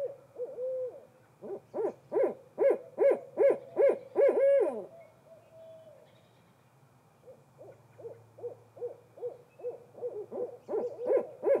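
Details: Barred owl female and her mate in a hooting exchange: a loud run of about ten rhythmic hoots with a long slurred note, a pause, then a quieter series of quick hoots building up again.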